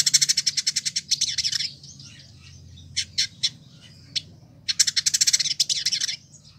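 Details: Village indigobird in Bandung, West Java, Indonesia, kept in care for a year and singing actively as a tutor bird, gives fast rattling series of sharp high chips, then a few isolated notes, then another rapid rattle.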